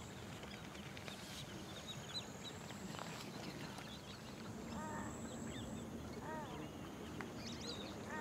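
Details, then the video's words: Lesser whistling ducks (Dendrocygna javanica) at Keoladeo Ghana National Park, India, in November 2023, giving thin, wheezy whistled notes in short clustered bursts over a steady rushing background noise. "Dendrocygne siffleur (Dendrocygna javanica) Lesser Whistling-duck"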